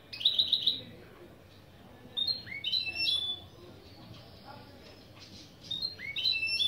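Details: Hybrid goldfinch × canary (mule) song lesson phrases: a brief trill followed by rising slurred whistles and sharp chirps, repeated in varied bursts with quiet gaps.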